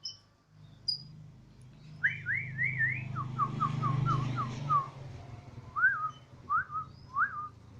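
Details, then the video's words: Home-kept Borneo white-rumped shama with a siren-like song: a few rising whistles, a quick run of short falling notes, then separate looping whistles, over a steady low hum. "Murai odong-odong (BORNEO) dengan penuh semangat si Burung berkicau layaknya suara sirine"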